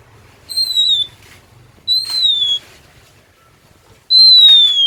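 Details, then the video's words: Oriental magpie-robin singing in Indonesia: three clear, high, pure whistles, each gliding slowly downward and lasting under a second, separated by quiet gaps, with very little background sound. "Suara Kacer Super Gacor DOR"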